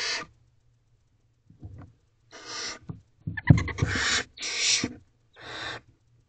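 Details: Night feeding of barn owl owlets in a nest box: rasping hissed screeches, several in quick succession, mixed with scuffling, clicks and thumps of movement over a low hum.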